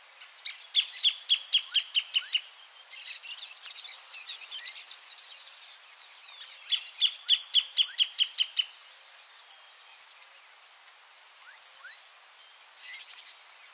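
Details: Near the nest, a greater thornbird gives two bursts of song, each a quick string of about nine bright, clipped notes that step gently downward. Faint twittering from other birds and a constant shrill insect drone fill the gaps.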